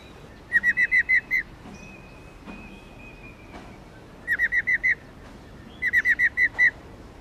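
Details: Three bursts of bright, slightly slurred whistles, each a rapid run of five or six notes, come from a female Garrulax chinensis lugens used to spur males into singing, with quiet gaps and a thin steady tone between bursts.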